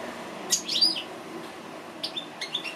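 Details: A few scattered high chirps and short slurred whistles from an African goldfinch, separated by quiet gaps, with faint background hum.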